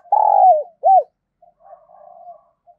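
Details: Decoy spotted dove calling to draw in wild birds: a long, rough, level coo sliding down at the end, one short arched coo, then softer trailing coos fading away.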